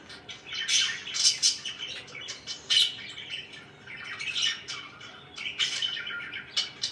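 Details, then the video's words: Several pet budgies kept at home chatter continuously, a busy mix of rapid scratchy warbles, squawky notes and sharp high chirps rising and falling in loudness. "LIFE WITH MY BIRDS (4K WATCH HOUR) #budgie #chirpingbirds"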